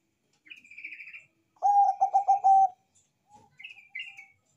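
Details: Bangkok-type zebra dove in loud, full-voiced song: a rapid bubbling series of about six low, resonant cooing notes lasting about a second, between thinner high trilled chirps from another small bird before and after.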